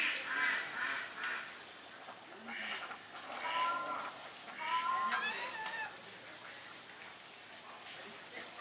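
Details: Domestic swan geese and grey domestic geese drying their bodies, calling together: harsh bursts, then clear rising honks and trumpeting notes around four to six seconds, fading to quieter calls.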